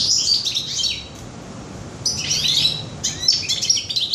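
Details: European goldfinch singing in a bird shop on 21 June 2015: bright, tinkling high twitters in bursts, a pause mid-way, then renewed rapid chattering phrases.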